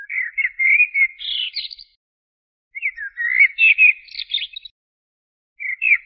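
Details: Common blackbird song: two longer warbling phrases of mellow whistles rising into high squeaky twitters, then the start of a third phrase. Short silent gaps separate them.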